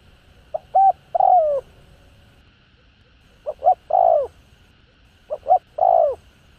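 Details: Spotted dove, 'hạp bổi' voice, used to rouse caged doves: three hollow three-part phrases, each two quick notes then a longer falling coo, spaced roughly two seconds apart over a faint hum.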